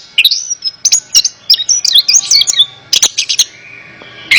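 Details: Short burst of Orange-headed thrush song for therapy of a bird slow to sing: thin high whistles and quick chatter, a pause, then loud harsh chips and a final sharp note.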